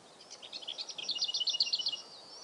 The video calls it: Lesser Whitethroat singing